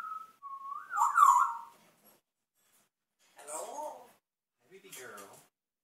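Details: Pet African grey parrot imitating Dick Cheney, opening with a loud, clear, wavering whistle that rises and then falls. Two brief, raspy, speech-like mumbled phrases follow after a pause.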